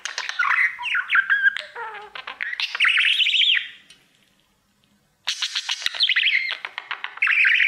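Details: Pet budgie, male, sings toward his mirror: looping whistles, clicks and buzzy chatter, then about a second of silence before the warbling chatter returns.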